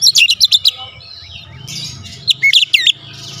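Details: Oriental magpie-robin kept at home in full song: a rapid burst of high chirping whistles, then a pause with faint low background hum, then more sweeping, looping whistled notes.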